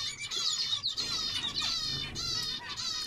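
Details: Zebra finch song: a run of nasal, buzzy notes with stacked, bright overtones, packed closely together and repeated steadily across three seconds, with short gaps near the first and second seconds.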